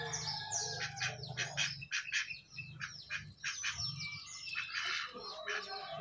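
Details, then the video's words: Jongkangan perched on top of its cage, singing busily: dense bursts of harsh, scratchy chirps and short whistles in quick clusters, over a steady low electrical hum. "Jongkangan Gacor Di atas Sangkar"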